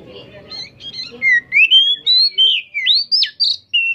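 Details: Oriental magpie-robin singing loudly: low murmuring at first, then a string of clear whistled notes, some sliding up and others falling, delivered in quick separate phrases.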